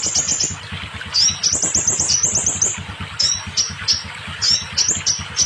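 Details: Scarlet minivet song for coaxing newly kept, quiet or molting birds to sing: a quick high trill, then spaced single sharp upswept whistles, over a low rhythmic background thump.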